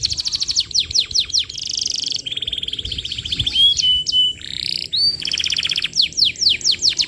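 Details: A persistently singing canary delivers a lure song meant for training juvenile canaries, with rapid buzzy trills alternating with long rolling tours and a few pure whistled notes, varied and continuous.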